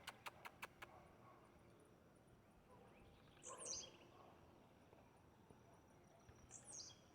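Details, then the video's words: Blue-black grassquit in nature: a burst of sharp clicks opens, then two high, buzzy songs about three seconds apart, each a brief wheezy note, against a quiet hissing rural background. "Tiziu cantando na natureza"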